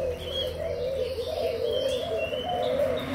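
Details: Young spotted doves from Malaysia and Thailand, June 2021, give steady, low, wavering coos that run into each other, with faint thin high notes above.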